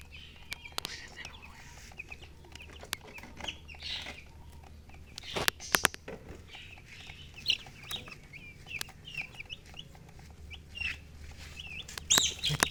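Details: Baby chicks chirping near hens, scattered high peeps that grow busier toward the end, over a faint background hum with occasional knocks and taps.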